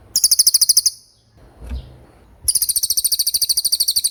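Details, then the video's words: Common iora delivering a fast, high, rhythmic trill in 'roll speed' style, a short burst, a quiet gap with a dull knock, then a longer run of quick repeated notes. "Suara Cililin Gacor Roll speed"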